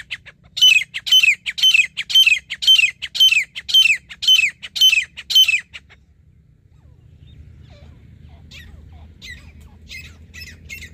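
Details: Grey francolin, called teetar, during partridge hunting: about ten loud, piercing, rasping notes repeated evenly twice a second, then silence with a few faint distant answering notes.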